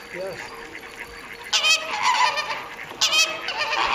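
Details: Caribbean flamingos kept at WWT Slimbridge, 4/5/2011: low chatter gives way to two sudden bursts of harsh, loud honking from the flock.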